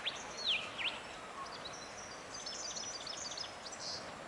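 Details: A European Goldfinch perched atop trees beside the Dargo River in Victoria gives quick swooping calls, then a bright, tinkling twitter over a steady hiss. Another goldfinch calls from a nearby tree, possibly at a nest.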